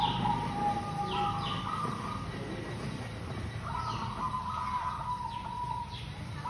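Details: Local zebra dove in lure song: drawn-out soft cooing phrases with a rolling texture, accompanied by brief high downslurred chirps of another bird and a low rumble of background noise.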